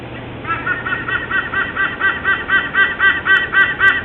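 A white-bellied sea eagle gives a loud, honking cackle, about four nasal notes a second, swelling steadily louder over a low background rumble.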